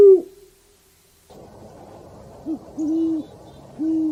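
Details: Owl hooting in a forest setting: after a brief opening note and a pause, low, steady hoots sound, one short, then a longer drawn-out hoot, and another after a gap, over soft background hiss.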